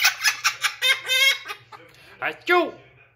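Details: Blue-crowned conure laughing indoors: a run of short, harsh, rhythmic bursts followed by a pause, then two squawky, descending laugh-like notes, with a faint steady hum underneath.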